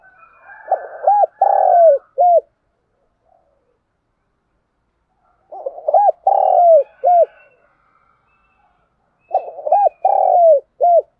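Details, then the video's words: Spotted dove giving its cooing and pumping calls to lure other doves, three soft low phrases about four seconds apart, each of short hooked coos and one longer drawn-out, falling coo, with faint extra bird notes above. "Tiếng chim cu gáy đồng nai thúc và gáy gọi căng lửa// Tiếng cu gáy mồi chuẩn"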